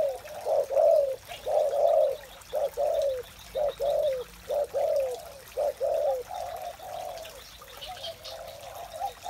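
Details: Spotted dove heard in the morning: a long series of low, short coos in clusters, repeated roughly once a second, fading slightly toward the end, with faint bird chatter behind.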